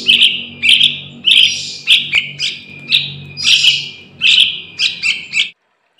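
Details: Calls of a young Yellow-vented Bulbul, used to lure wild birds for trapping: a rapid series of shrill, clipped chirps, about ten bursts in a row at an uneven pace, some doubled, then silence at the end.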